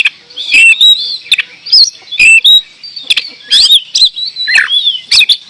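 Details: Oriental magpie-robin singing actively: loud varied whistled phrases with sliding and warbled notes, broken by sharp clicking bursts about every second, some harsh rasping notes between.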